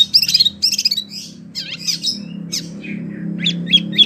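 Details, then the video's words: Wambi singing, recorded as tutor song for oriental magpie-robins and other birds: bursts of warbled, looping whistles followed by scattered sharp notes and brief downslurred whistles over a faint low hum. "SUARA BURUNG WAMBI PILIHAN SANGAT BAGUS BUAT MASTERAN BURUNG KACER,DAN LAINYA"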